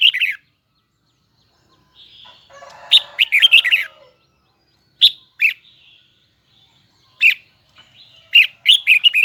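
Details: Hue red-whiskered bulbul in captivity, loud high-pitched double-note twisting song: short bright warbled phrases repeated several times with pauses between, plus a brief rustling noise partway through.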